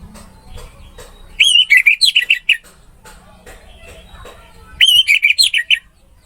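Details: Orange-headed thrush in a training recording: two matching phrases of loud, fluty, quickly modulated notes, each lasting about a second, separated by a quiet gap with faint ticks.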